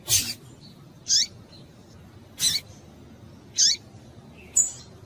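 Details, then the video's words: Female double-collared seedeater calling to stimulate and excite males: five short, sharp high chips roughly once per second, some with a downward-sweeping tail, over a faint low background hiss. "fêmea de coleiro quente para esquentar coleiro"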